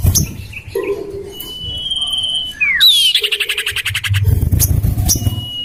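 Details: Common iora lure call, tested in a garden beside a house: a long steady high whistle, then a quick downward-slurred note and a fast run of buzzy repeated chattering notes, with low rumbling background.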